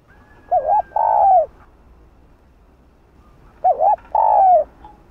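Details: Two spotted dove phrases, meant to stimulate and lure other doves, about three seconds apart. Each is a trembling double note leading into a long mellow coo that tails downward. A faint thin tone follows the last phrase.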